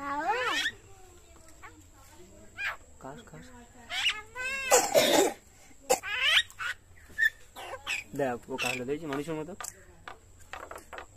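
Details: A pet talking common myna, age unclear (6–7 months or 9 years), talks in short, voice-like phrases mixed with harsh squawks and warbling, rising and falling whistles, in bursts every second or two.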